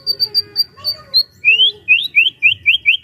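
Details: White-rumped shama song meant to spur other shamas into singing: a string of short high whistles, then a fast series of rising slurred notes repeated about every quarter second, over a faint low hum.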